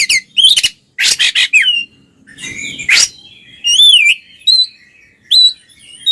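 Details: Oriental magpie-robin pair singing ngeplong as a lure for mute birds: a burst of harsh scratchy notes, a rising sweep, then pure looping whistles and short chirps after quiet gaps.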